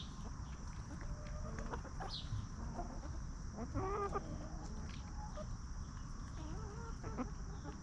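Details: Free-range backyard hens roaming and feeding calmly, giving quiet clucks throughout, with a brief louder burst of quavering clucks near the middle and a few wavering calls toward the end, over constant low-pitched background rumble.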